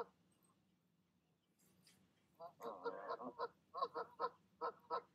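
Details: Evening calls from a goose pair coaxing goslings down from the nest, quiet at first, then a burst of nasal honks that settles into rapid, uneven repeated notes.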